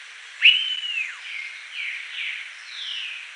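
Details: Blue-billed curassow, critically endangered, at Reserva Los Besotes, Valledupar, Cesar, northern Colombia: a sharp, high whistle that holds steady, then slurs downward, followed by three or four fainter, softer whistled notes.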